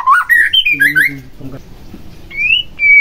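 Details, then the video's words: White-rumped shama whistling in a lure recording for making lazy shamas sing: a quick climbing series of fluty whistles with a harsh low undertone, a short pause, then two clear, drawn-out whistles. "Pancingan Murai Batu Agar Bunyi Langsung Emosi Bongkar Isian"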